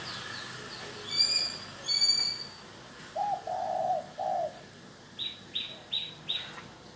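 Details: Calling spotted dove used to attract wild doves: high harmonic whistles from another bird first, then three low hollow coos, followed by four evenly spaced higher chirps.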